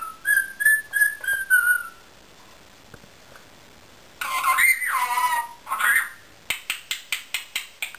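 An Indian ringneck parakeet whistles five quick, clear, mid-pitched notes. A harsh, raspy burst follows, then a run of sharp tapping clicks.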